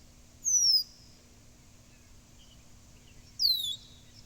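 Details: Two high, thin descending whistles from a blackbird, each sharp and brief, spaced roughly three seconds apart with quiet between them.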